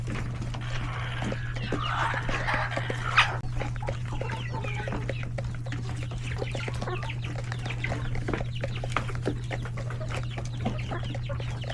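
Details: Hens, roosters and numerous chicks in a coop at lunch time; a drawn-out harsh squawk early on, then a continuous chorus of soft clucks and peeps over a steady low hum.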